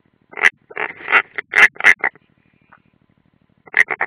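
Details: Unringed European roller heard at the nest on the Ādaži training ground live camera, 30 June 2016: a burst of coarse rasping notes, a pause of about a second and a half, then three more quick rasps.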